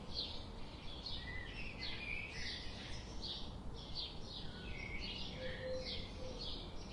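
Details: Busy birdsong with many quick high chirps in close succession and a few mid-pitched whistled notes mixed in, continuing steadily over a low noisy background.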